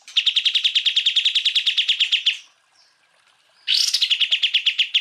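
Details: Cucak ijo, the greater green leafbird, delivering rapid 'full tembakan' song bursts used to train other birds: a long stream of clipped, high, pulsed notes, a second of near silence, then a harsh rising onset and the quick pulsing resumes.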